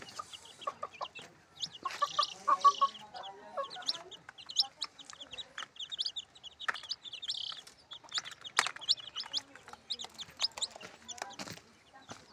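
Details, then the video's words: Many colourful chicks peep together in a dense, overlapping chorus of high, thin chirps, with a few lower clucks in the first seconds. "chicks chirping sound"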